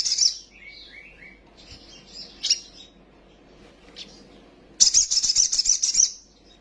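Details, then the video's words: Quick-tempered sunbird singing a full lure song with fillers, wings fluttering. Shrill trilled phrases, softer descending twittered notes and scattered chips lead to a loud, rapid, high-pitched sizzling trill. "PANCINGAN BURUNG KOLIBRI SOGOK OTONG BAHAN CEPAT EMOSI BUNYI FULL ISIAN SOGON NGELEPER"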